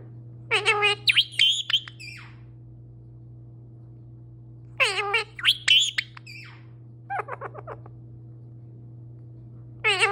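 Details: Pet male parrot talking in a long stream, giving bursts of harmonic, speech-like syllables mixed with sharp whistled notes in three bouts separated by pauses, over a steady low electrical hum indoors.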